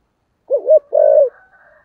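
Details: Cooing spotted dove of the 'thổ sấm' voice style, played daily so wild birds answer: a short double hoot followed by a drawn-out soft coo sliding downward, a thin whistle-like tone trailing after.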